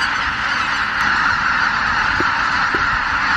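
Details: Greater white-fronted geese departing their marsh roost at Miyajimanuma at dawn on 23 April 2017, a flock of more than 83,000; dense, even honking clamour with two short, sharper calls standing out toward the end.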